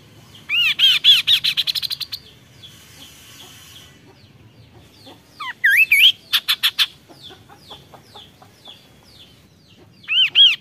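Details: Kaso-kaso bird song in a loud, high, rippling series of whistled notes lasting about a second and a half. A pause follows, then a slurred rising whistle and a quick burst of sharp repeated chips, with a short whistled phrase returning at the end.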